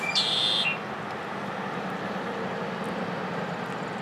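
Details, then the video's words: Red-winged Blackbird in Stanley Park, Vancouver, BC, gives one brief, harsh, buzzy trill lasting under a second, then falls quiet under the steady hiss of falling rain. "Red-winged Blackbird Singing in the Rain"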